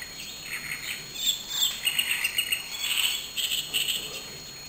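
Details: Great reed warbler singing at Galacho de Juslibol, Spain, in May 2008: harsh, grating churrs and chattering phrases delivered in uneven bursts, with a steady high insect-like hum running underneath.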